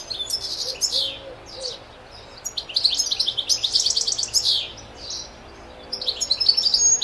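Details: A goldfinch in the wild sings a fast, high, tinkling twitter of liquid notes and buzzy trills, pouring out in lively bursts with brief pauses between them.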